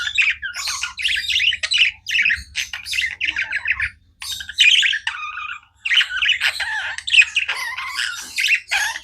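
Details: Pet budgerigars chirp continuously, a chattering mix of short squeaks, raspy notes and warbled phrases in dense bursts, with two brief silent gaps.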